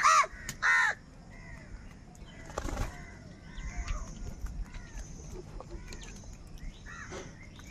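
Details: Two loud grating caws open the sequence as crows fight for food, followed by quieter distant calls and a rushing flutter of wings.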